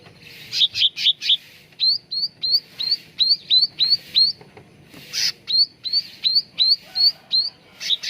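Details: Cucak ranting bulbul singing on a training lure recording. After a quick chattering burst, a long steady series of short upward-flicked whistles repeats about three times a second, with a faint hiss behind.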